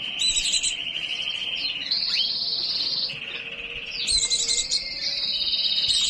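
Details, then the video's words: White-eye in breeding condition pouring out long, steady, high trills that switch between two pitch levels, with brief breaks and quick slurred notes between phrases. "pleci birahi"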